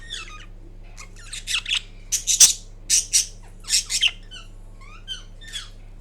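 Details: Green Indian ringneck parrot, a household pet, chattering during a nap: a lively burst of raspy squawks and high chirps in the middle, tapering into softer downward-slurred squeaks.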